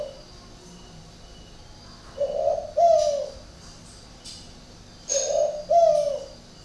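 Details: Spotted dove from a northern Vietnam bird garden in Ba Vì, Hanoi, cooing unusually: two deep double-note phrases about three seconds apart, the second note louder and sliding down, with a few faint clicks in the background.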